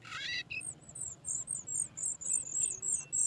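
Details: Sooty chat nestlings being fed by parents bringing food from outside beg with rapid, thin, high squeaks, about three per second, after a brief harsher chattering note at the start.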